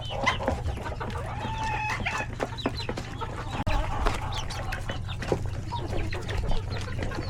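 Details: Chickens, roosters and chicks crowding a coop at lunchtime; a busy mix of clucks, short rising peeps and clicks of pecking, steady low hum in the background.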